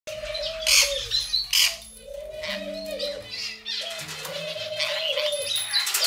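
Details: Pet rainbow lorikeets in a home, chattering while breaking up a fight and mimicking their owner's pet phrases: harsh broadband screeches in short bursts, over a steady low cooing tone repeated roughly every second and a half.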